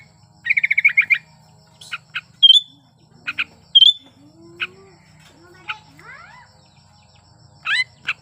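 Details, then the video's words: Sooty-headed bulbul in breeding condition, played to provoke reluctant bulbuls into singing: a quick burst of chattering notes, clear high whistles separated by pauses, scattered chirps and upward-sweeping notes, with a steady low hum beneath. "Suara Burung Kutilang Gacor Birahi Ampuh Untuk Pancingan Kutilang Malas Bunyi"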